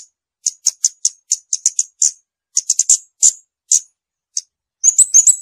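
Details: Scarlet-backed flowerpecker song: a long run of rapid, very high ticking notes in uneven bursts, ending in a quick twittering flourish. The background is silent.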